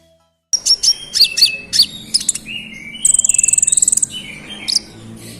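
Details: Olive-backed sunbird (konin) singing a busy, rolling song meant to provoke rival birds: sharp high chirps and thin whistles, then a fast buzzy trill of rapid even notes, and a final high note.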